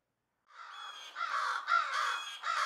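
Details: Crows mobbing an owl, calling loudly to summon others: three or four harsh, rough, overlapping caws from several birds together.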